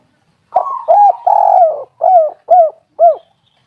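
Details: Spotted dove giving a lure call used to trigger other doves to call: a series of mellow, hollow coos, two longer drawn notes followed by three short, rounded, evenly spaced coos in a clean, quiet setting.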